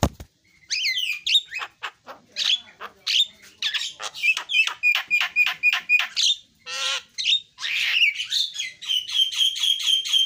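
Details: Javan myna delivering a long, varied song: squeaky twisting notes, a series of rhythmic chattering bursts, a nasal rasp, then repeated short notes over a steady high whistle.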